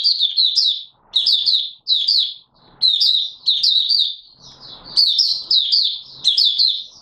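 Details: Open singing from an Oriental white-eye, dated 24 March 2022: bright high twittering phrases of quick down-slurred notes, repeated in bursts about a second apart with short silent gaps.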